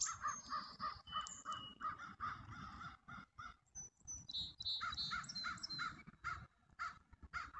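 A pheasant gives a long run of harsh, hoarse notes, about three a second, with thin high whistles from other birds above.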